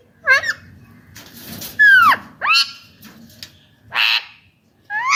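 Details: Pet Indian ringneck parakeet giving its natural voice: a series of harsh, arched screeches, each sweeping up then down, spaced about a second apart, with quiet room hum between calls.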